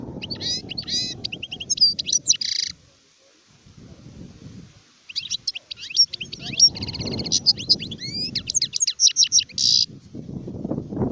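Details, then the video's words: European goldfinch, an adult bird, sings long bright runs of liquid twittering and metallic buzzy trills. A pause breaks the song after about three seconds, then it resumes. Low rumbling background noise comes and goes. "تغريد حسون كهل (شارف)"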